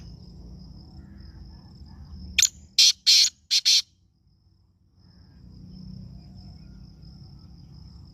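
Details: Black francolin gives a loud burst of five rasping, scratchy notes in a little over a second, the fourth note shortest. An insect's high, even whine continues before and after, over faint outdoor background noise.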